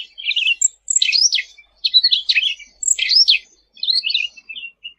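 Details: Lively sooty-headed bulbul song for training birds: four rapid chattering bursts of twisting whistled notes, each lasting under a second with short gaps between, ending in softer chirps.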